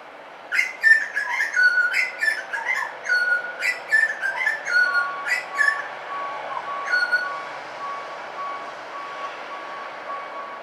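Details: Butcherbird singing in suburbia, a burst of melodious piping whistles with falling slurs over a soft background hiss, thinning to a few drawn-out notes before fading.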